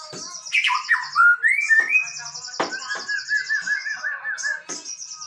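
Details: Male white-rumped shama pouring out a varied song of sliding whistles, a high buzzy trill and sharp clicking notes.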